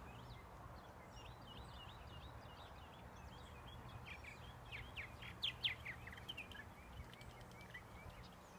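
Purple martins chatter in a steady stream of gurgling, rising and falling chirps, with several birds overlapping over a low background rumble.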